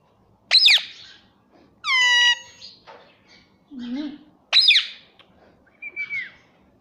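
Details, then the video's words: Talking pet rose-ringed parakeet making a run of varied sounds. There are sharp squawks, a drawn-out, harmonic, voice-like note, a low nasal syllable and a short descending whistle, with quiet pauses between them. "Talking parrot || talking parrot mummy papa || bolne wala tota"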